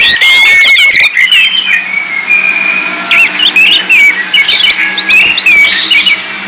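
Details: Orange-headed thrush singing as a lure for training birds: bursts of jumbled whistles, squeaky chirps and short trills, with brief pauses between phrases, over a faint low electrical hum.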